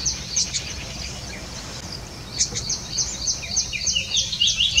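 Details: Golden oriole, or mango bird, chicks at a hammock nest woven between tree branches as a parent feeds them; thin, high chirps repeat about three per second, then sharper descending squeaks toward the end, over a steady background hiss.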